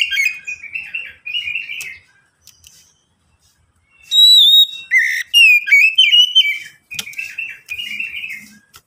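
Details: Oriental magpie-robin song for prompting other magpie-robins to sing quickly: soft warbled chatter, a pause, then loud clear whistles and a long fluent run of rising and falling whistled phrases.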